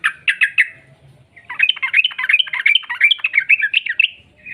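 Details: Yellow-vented bulbul singing as a lure to start other birds singing: four quick bright notes, then a long tumbling run of jumbled chattering phrases.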